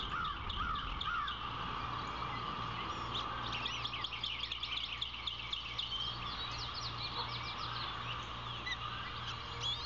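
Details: Osprey at a Savannah nest on 16 April 2021, as the female feeds two chicks (a new hatchling and its 3-day-old sibling), giving rapid, nearly continuous short high whistled chirps, some slurred up or down, over a steady electrical hum.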